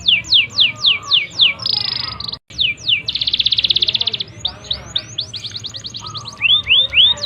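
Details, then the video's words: Vigorously singing canary, a lure song meant to stimulate other canaries to sing quickly: rapid descending whistled sweeps repeated about four per second, broken by buzzy rolled trills and a brief gap, then more sweeping notes. "Pancingan Suara Burung Kenari Gacor, AMPUH Rangsang Kenari Cepat Bunyi!!!"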